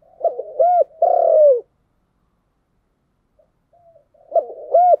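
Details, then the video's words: Spotted dove with the 'giọng đồng' voice style giving low, mellow cooing: a short stuttered note, a rounded coo, then a longer falling coo, a long pause, and the phrase starting again at the end. "Cu gáy giọng đồng"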